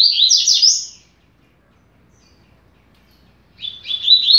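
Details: Double-collared seedeater (coleiro) singing two bright, rapid phrases of high, slurred warbling notes separated by a three-second pause; nothing else is heard.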